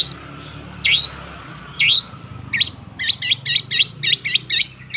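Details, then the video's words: Long-tailed shrike song used to prompt silent shrikes to sing: spaced, sharp, falling notes, then a quick run of looped, hooked chirps, over steady background hiss and hum. "Suara TERAPI pancingan cendet /pentet macet total"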